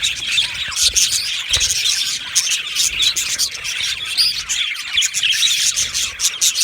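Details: Budgerigar colony in an aviary, a steady wash of overlapping high chirps and twittering, with occasional soft low thumps beneath.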